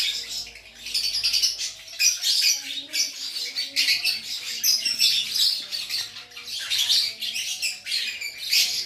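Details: Lovebird from Aceh in gacor style, a lively nonstop song: dense, harsh, high chattering bursts of squeaks and trills that run almost without pause, with faint low tones underneath.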